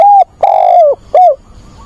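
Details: Mate-seeking call of a decoy spotted dove on a weekend, 24 August: a steady coo, then a long coo sliding down at its end, then a shorter coo that also falls, all loud and clear.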